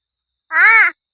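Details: Pet talking crow chatting with its owner in Palghar, who offers it biscuits; a single arched, harmonic caw lasting under half a second, rising then falling, clear and loud with no other sounds.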